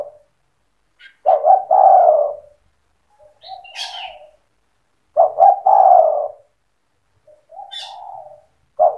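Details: Cetretan-style spotted dove song for provoking other doves: strong coo phrases of stuttered notes and a long falling coo, alternating with softer, lower coos, with sharp high chirps from another bird between them.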